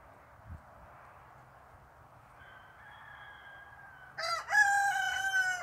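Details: A Barnevelder rooster crows after a few seconds of steady background hum: a harsh opening note followed by a long, drawn-out, even cry.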